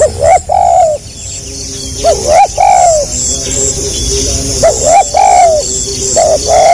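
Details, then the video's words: Tekukur (Spotted dove) giving gagap rapat selang nguku cooing. Repeated phrases of two or three short hooked notes flow into warm, slightly descending coos roughly every two seconds, over a high insect hum. "SUARA BURUNG TEKUKUR GAGAP RAPAT SELANG NGUKU"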